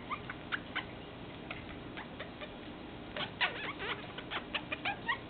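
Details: Pet Meyer's parrot showing affection: sparse clicks at first, then a denser run of quick chirps and swooping squeaks toward the end.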